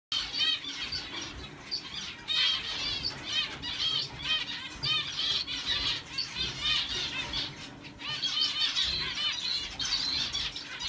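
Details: A normal grey zebra finch stud cock sings amid busy overlapping nasal beeps and squeaky chirps from zebra finches, chattering without pause.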